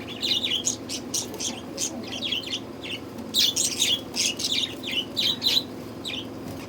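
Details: Budgerigars in hot summer weather keep up dense, busy chirping, with rapid high squeaks and tweets tumbling over one another almost without pause, steady hum underneath.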